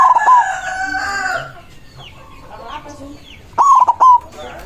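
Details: Song of a white zebra dove calling out rivals: a clear coo opens the clip, quieter mixed bird calls follow, then a second crisp, rapid-stuttered phrase ending in a held note.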